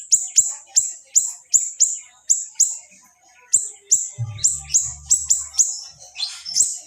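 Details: Small siri-siri singing a rapid-fire training song, the shots dense and sharp: high, piercing chirps repeated several times per second with brief pauses, and a low mechanical hum partway through.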